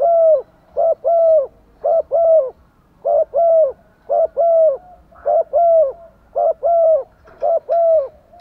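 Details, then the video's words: Calling female spotted dove aiming to attract males, giving about eight pairs of mellow, hollow coos at a steady, even rhythm, roughly one pair per second. "chim cu mái kích trống/ Tiếng chim cu mái gáy dùng kích bổi và mồi gáy theo hiệu quả"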